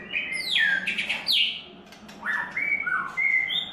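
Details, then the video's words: White-rumped shama in its third molt singing: loud rich whistles sweeping down, then rising and falling whistled phrases with sharp high notes. A steady low hum sits beneath. "White Rumped Shama – “Imagine by Falcon” - 3rd Molt"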